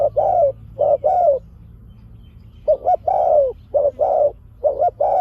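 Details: Decoy spotted dove calling 'pak khruen' to attract wild doves: loud mid-range coos in pairs, brief lead note then a fuller descending one, repeated in two clusters with a pause between.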